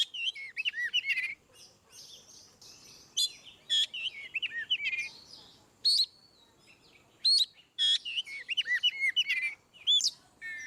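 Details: Oriental magpie-robin singing ngeplong style, played to prompt birds that seldom sing: fluid series of curved whistles and trills, dense bursts of sweet notes broken by brief gaps, with faint background hiss.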